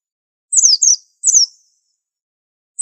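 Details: A very unusual white-eye with a unique training song gives paired, piercing, downward-sliding chirps, two pairs close together, then a lone note at the end, against a silent background.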